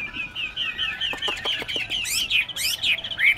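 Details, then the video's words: Tame Chinese hwamei in a cage in Ho Chi Minh City singing a fast series of short, repeated down-slurred whistles, then harsher, buzzier bursts mixed with sharp clicks and brisk notes. "Họa Mi Thuần Đét Hót Hét Ok"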